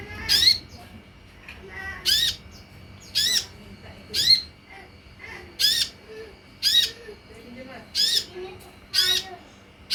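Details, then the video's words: Steady run of nine harsh, buzzy olive-backed sunbird notes, each with a falling lower tone, spaced about a second apart, with soft twitters between; a lure for drawing sunbirds to answer and sing. "SUARA PANCINGAN DAN MASTERAN UNTUK SEMUA JENIS KOLIBRI YANG AMPUH MEMBUAT KONIN NYAUT DAN IKUT GACOR"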